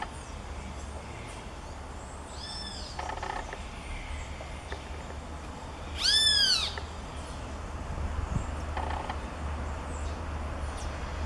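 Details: Great kiskadee giving loud calls in the open: one softer arched note early, then a strong, harsh, downslurred note midway, with a few faint clicks and a steady low background drone.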